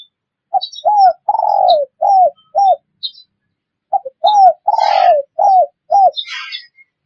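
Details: Cooing spotted dove, a recording meant for luring wild doves. Two matching phrases about three seconds apart, each built from short arched coos around one long descending note. Brief high twitters from other birds are heard.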